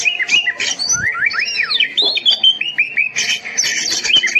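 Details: Master recording of an oriental magpie-robin for teaching silent kept birds: rising whistled slurs and arching notes, then a string of bright short whistles and a burst of harsh scratchy chatter near the end.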